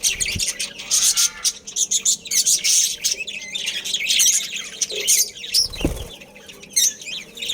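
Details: Budgerigars of a breeding family group. Busy high chirping and warbling fill the clip, and two sharp thuds or knocks stand out near the start and just before six seconds.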